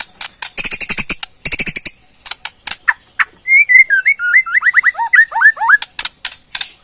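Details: Borneo white-rumped shama ketrekan for provoking replies: rapid harsh rattling bursts and ticks, followed by a descending series of quick whistled chirps stepping lower, then more dry rattle notes.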